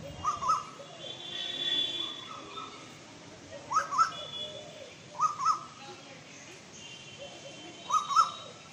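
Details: Female Asian koel repeating short double-note harsh calls, four pairs spaced a second or more apart, over a steady background with faint higher chirps from other birds.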